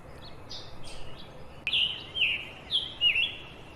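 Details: A scarlet tanager perched in a tree gives a short series of slurred, buzzy chirps, each dropping then rising slightly in pitch, several notes over a few seconds against a quiet outdoor background.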